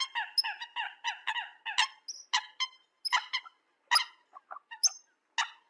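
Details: Eurasian coot decoy recording: rapid strings of short nasal honks, the first few evenly spaced, then looser single notes mixed with high thin squeaks.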